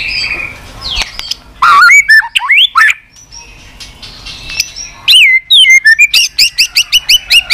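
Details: White-rumped shama in continuous 'tạch' song meant to stimulate weak-spirited shamas; rising and falling whistled phrases, then a fast run of sharp repeated clicking notes about four per second, very loud.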